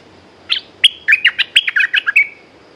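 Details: One fast phrase from a caged Red-whiskered bulbul: about ten bright, bubbly chirped notes tumbling together, ending in a short trailing whistle.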